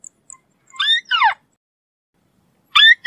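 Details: White-browed crake (Matang Bayani, Tikling Kabayo) giving a rising squeal then a falling harsh note, with faint high ticks before and another squeal starting at the end.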